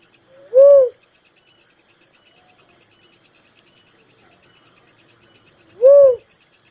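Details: Little cuckoo-dove giving two rising-and-falling hooted coos about five seconds apart, while crickets keep up a fast, steady, high-pitched chirping.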